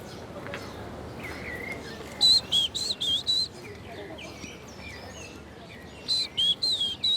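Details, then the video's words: Short-toed Treecreeper singing in a Parisian park where naturalists search for biodiversity: two bursts of high, thin, clear notes, about four to five quick whistled elements each, with a faint background hiss and other faint chirps between. "That's the Song of the short-toed tree creeper"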